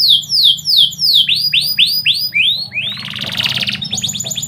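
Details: A canary sings at midday, opening with quick downward-sweeping whistles, then a run of rising curved notes repeated about four times a second, a buzzy warbled trill, and brisk high chips.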